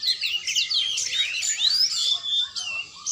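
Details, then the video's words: Oriental magpie-robin in training, singing a dense stream of high, rapid whistled and chattering phrases with quick up-and-down slurs, nearly continuous over three seconds. "latihan burung kacer"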